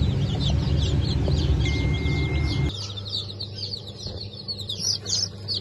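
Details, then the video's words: Group of new Brahma and Wyandotte chicks, hatched 4 August 2024, peeping in high thin cheeps; loud low rumbling noise covers the first half, then the peeps ring out more clearly over a quiet hum. "Yeni Çıkım 04.08.2024 - Brahma , Wyandotte"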